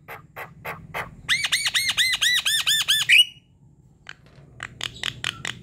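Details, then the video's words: Javan myna singing, used as a lure: a rapid rhythmic series of about ten arched, nasal rising-falling notes ending in a squeak, with sparse clicks before and after. "MANGGUT² sambung NGEROL PANJANG ~ Pancingan jalak kebo"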